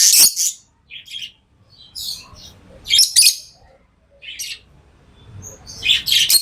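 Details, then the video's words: Tamed lovebirds producing piercing high chirps and short squeaky notes at irregular intervals, louder bursts at the start, middle and end. "Love birds Sounds | lovebirds chirping sounds"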